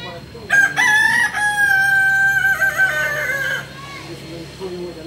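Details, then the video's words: Kukuak Balenggek rooster, endemic to Solok in West Sumatra, at a practice session: after soft clucks, a loud crow of about three seconds holds a level tone, drops slightly partway, then ends with quieter clucking nearby. "latberan ayam kukuak balenggek(akb)"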